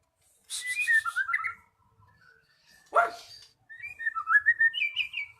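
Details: Lure recording of magpie-robin song meant to make a quiet bird sing: a scratchy burst running into falling whistles, one sharp loud click, then a long series of rising and falling whistled notes.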